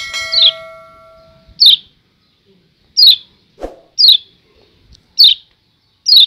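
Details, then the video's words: A Lombok yellow white-eye gives sharp, high, falling 'ciak' chirps, one roughly every second, used to steady breeding condition in kept birds; a brief bell-like tone opens the recording, with a soft knock partway through. "Ciak Ciak Kecial Kuning"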